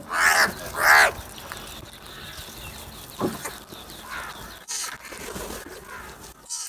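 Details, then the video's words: Crows fighting and eating food: two loud, hoarse caws open the recording back to back, followed by softer scattered calls and low background noise with a few clicks. "Crow sounds"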